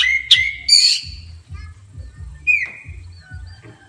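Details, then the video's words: Oriental magpie-robin, stirred up by a horn, gives loud scratchy high squeals and a sustained whistle, then a sharp downward-slurred note. Soft thin whistles and a low throbbing rhythm follow. "Kacer emosi tingkat tinggi di klakson langsung emosi"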